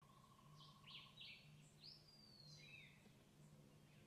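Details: Bee Hummingbird feeding chicks in Cuba, giving thin, high squeaky chirps and a quick descending squeal in irregular bursts, over a steady low hum and background noise.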